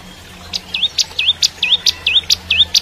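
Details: Bar-winged prinia, known locally as ciblek kristal, in full gacor song used to tutor young white-rumped shamas: sharp high clicks alternating with quick upswept whistled notes, about seven pairs in under three seconds, with a faint low hum behind.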